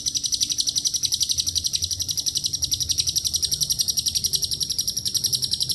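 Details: Shrill, fast-pulsed chatter from a lovebird in its long 'ngekek' song, fill-in phrases from cililin and canary included; notes repeat several times a second in an even, unbroken high rattle.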